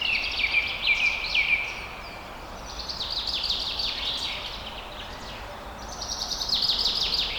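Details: Birds calling in a forest: bursts of quick, high, descending chirps repeated in rapid series, about two per second, with a brief lull midway before another chattering run. A steady background hiss underlies the calls.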